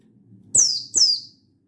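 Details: Mountain white-eye (buxtoni), dated 16/8/22, calling a rival to provoke other birds into singing. Just two piercing, high-pitched chirps, each falling steeply in pitch, a fraction of a second apart.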